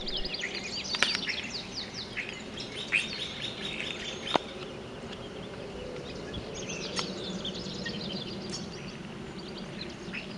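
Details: An invasive European Starling in North America mimics other birds, pouring out a dense medley of high clicks, squeaky whistles, chirps and sharp snaps, switching sounds every moment, over a soft outdoor hiss.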